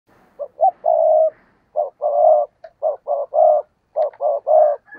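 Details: Decoy spotted dove cooing and calling to provoke wild doves into cooing; low, hollow phrases of two short notes and a longer drawn coo, repeated about four times in quick succession, with softer breathy notes between.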